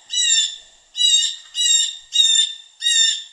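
A Blue Jay gives five harsh, nasal jay calls in quick succession, each about half a second long, with no other sounds.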